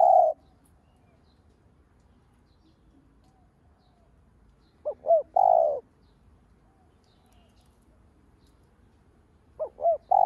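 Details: Spotted dove used as a lure bird, cooing to stimulate other doves: phrases of two short rising notes and a long steady low coo, heard at the start, midway and at the end with quiet gaps between.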